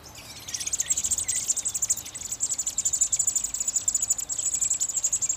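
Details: American robin babies in a nest in a satellite dish near a screened porch, calling while fed; a steady, shrill, pulsing chorus of very high squeaks, beating rapidly and continuing for over five seconds.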